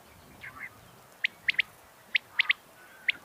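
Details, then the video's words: A female common quail gives sharp, high clicking notes, singly and in quick pairs, about once a second over a faint background hiss; the call is said to draw quail in. "Batair ki Awaz || ایسی اواز پر بٹیر اڑ اڑ کے ائے گا || Batair female Sound"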